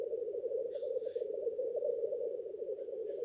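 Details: Displaying black grouse males at the lek, heard as a steady low bubbling hum with two quick hissing bursts near the start and a faint one at the end.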